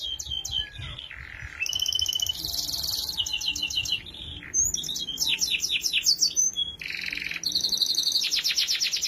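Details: Canary tutor song for teaching young canaries, a long stream of fast high trills, buzzy rolls and short whistled notes changing every second or two, unbroken and bright.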